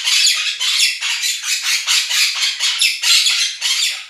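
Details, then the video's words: A pair of pet Quaker parrots screaming over a budgie flock recording played to them; an unbroken run of loud, raspy, evenly repeated squawks, several per second. "КАК ПОПУГАИ МОНАХИ СТАЙКУ ВОЛНИСТЫХ ПОПУГАЕВ ПЕРЕКРИЧАЛИ Quaker parrots scream over flock of budgies"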